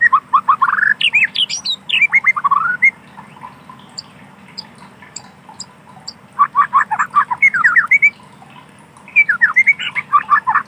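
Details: White-rumped shama in a wild forest habitat sings bursts of quick, rising whistled notes, phrases separated by a quiet pause of several seconds, then resuming with rapid sweet whistles; faint background hum.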